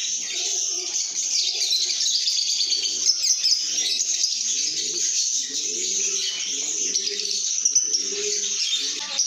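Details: Many lovebirds chirp and sing in a good mood, making a steady wash of shrill, buzzy twitters, while a deep cooing bird calls in repeated rising-falling phrases beneath.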